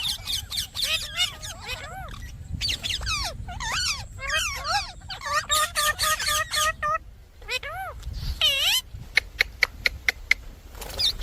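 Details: Indian ringneck parakeet producing a long series of arched, nasal squawks in clusters, then a short run of sharp dry clicks toward the end.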